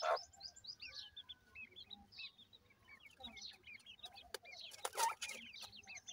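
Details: High, thin peeping from a group of francolin chicks, short descending chirps scattered throughout over a faint steady hum, with a few loud clattering knocks toward the end.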